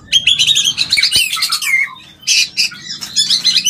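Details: White-rumped shama mating call for stimulating mating: dense high chattering and scratchy notes mixed with short whistles, a brief pause midway, then more harsh bursts.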